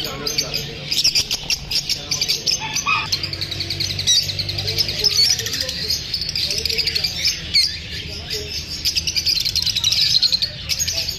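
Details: Flock of lovebirds chirping after feeling unsafe from shooting: a dense, continuous chatter of high, rapid squeaky chirps and twitters from many birds at once, with brief faint voices and low background hum.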